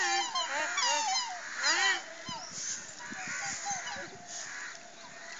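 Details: Black swans (Cygnus atratus) at Nehru Zoo Park, Hyderabad, give high, bugling, trumpet-like calls; several birds overlap, loudest in the first two seconds, then softer and more scattered.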